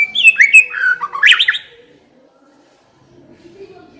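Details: White-rumped shama lure phrase, played to spur another shama into song: a quick run of loud, twisting whistled notes lasting under two seconds, then near silence with a faint low murmur.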